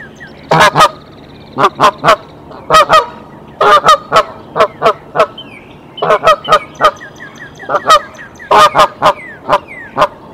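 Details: Mother goose on a nest cam at Decorah, 27 March 2023, sounds the alarm and the male comes to the nest; loud nasal honks in quick pairs and clusters, about twenty-five in ten seconds, with faint small-bird chirps behind.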